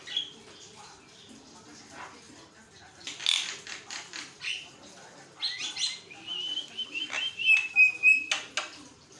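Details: Javan myna chattering nonstop with harsh clicks, buzzy notes and a thin whistled phrase near the end, in quick bursts; the song is said to prompt other Javan mynas to answer and sing.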